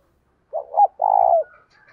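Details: Part of a decoy spotted dove's loud calling coo, used to excite wild doves. A rough double note is followed by a long, throbbing coo that slides downward at the end, with faint higher tones afterward.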